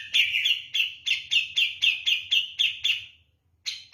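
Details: Javan grey-cheeked bulbul, a caged bird singing steadily, with a fast series of sharp, chirpy notes repeated about four times a second, each note falling in pitch, followed by a short pause and a fresh note.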